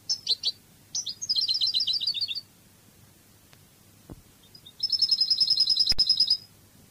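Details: European goldfinch singing a Cádiz-style Spanish song. Quick high tinkling notes, then a long rapid twittering trill. A pause follows, then a second sustained, evenly pulsed high trill, with faint low background hum.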